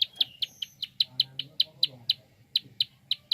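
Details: Rapid clicking call of a prinia, used to stimulate other birds into song: short, sharp, high-pitched ticks repeated about four times a second, with a faint thin whistle early on and soft low noise.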